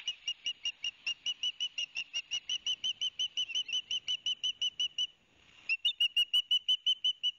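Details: Ospreys at Barnegat Light, New Jersey, on a live nest cam on 13 September 2021. A noisy pair of young each get a fish delivered by their father. Rapid sharp whistled notes come about three per second, pause briefly, then resume.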